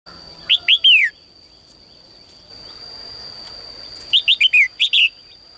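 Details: Caged female bird singing in the morning to call males into singing more: two bursts of short, bright, downward-sliding chirps, three at first, then about six quickly run together, over a steady high-pitched whine.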